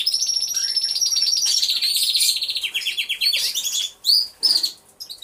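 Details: Aviary full of singing canaries, recorded by a hidden camera. Long, dense rolling trills slide gradually downward, then break into short bright bursts separated by brief gaps.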